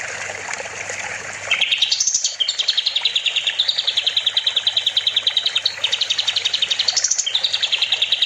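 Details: Kapas tembak, a bulbul singing vigorously as a master recording for training other songbirds: a high rising note, then long fast trills of sharp repeated chirps, about three per second, ending in a rising whistle before the trill resumes.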